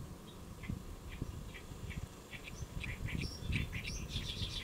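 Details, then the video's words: Great reed warbler on a lotus leaf at Saemangeum, Gimje-si, South Korea, 1 July 2024 near noon; starts with soft spaced clicks and ticks, building into a faster burst of harsh chattering notes, over low background rumble. "연잎에 앉아 우는 개개비 Great Reed Warbler Chirping on a Lotus Leaf"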